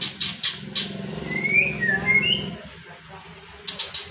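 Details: A magpie-robin in unedited footage, said to call "Pak Jokowi": a few clear whistled notes, one rising then a falling-rising pair, heard through steady engine-like rumble and clicks.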